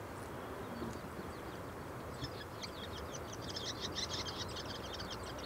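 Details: Courtship song from a bull-headed shrike in Japan: faint at first, then a denser burst of high twittering and chattering notes in the second half, over steady low background rumble.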